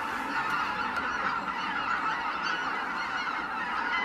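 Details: Roost departure of greater white-fronted geese, heard as a dense, continuous babble of overlapping honks from many birds at once, unchanging in level throughout.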